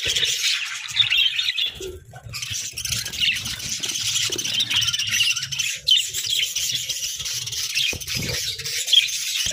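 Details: Busy pet budgerigars keep up a long stream of high chirping and warbled chatter, with occasional clicks and soft low movement noises.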